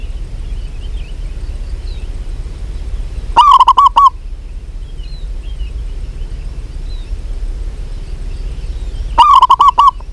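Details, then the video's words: A local zebra dove, possibly a female calling a male, gives two loud trilled coo phrases of about five notes, six seconds apart. Faint high chirps of other small birds sound softly between them. "PERKUTUT LOKAL GACOR BIKIN EMOSI SEMUA JENIS PERKUTUT"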